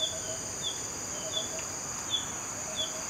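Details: Female Green-backed Flycatcher, a common winter visitor in northern Malaysia, giving thin, high, downslurred notes at irregular intervals over a steady high insect drone.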